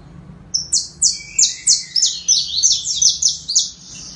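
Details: High, sharply falling notes from a singing saffron finch come in a quick, steady series, backed briefly by a lower sustained buzzy tone, ending in a tight cluster of notes.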